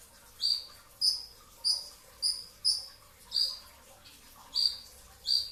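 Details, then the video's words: Pre-dawn brown-throated sunbird at sahur time in the '2tak' style: about nine high, shrill, slightly falling chips, several in quick pairs, roughly every half second, against a faint steady hum. "kicau konin dacok, kolibri ninja 2tak dada coklat full tembakan rapat di saat sahur"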